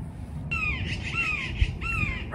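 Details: Yellow-billed magpie up in trees at Red Bluff Recreation Area, California, apparently agitated by a nearby red-shouldered hawk, gives three harsh, falling calls about half a second apart, with a low rumble of wind or handling noise beneath.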